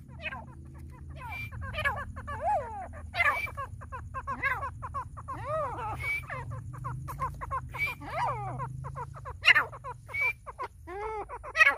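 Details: Grey francolin calling: a busy run of quick, swooping, ringing notes, rising and falling in pitch, often doubled, with louder sharp accents scattered through, over a steady low hum.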